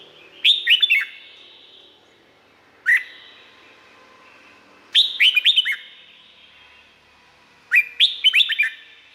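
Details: Red-whiskered bulbul singing, Thailand, song used to train or rouse other birds: four bursts, one a lone rising whistle, the others quick chains of four or five sweet, slurred notes that fall away, with soft echo between phrases.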